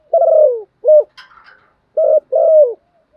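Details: Spotted dove kept as a decoy to draw wild doves, cooing loudly: a long descending hoarse coo and a short clipped note, a soft rustling pause, then another pair of deep coos.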